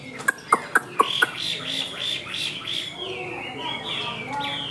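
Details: Caged Chinese hwamei with white wings and white tail, a high singer kept for fighting: five sharp clicks open, then a run of soft warbled whistles and slurred notes, with faint background noise.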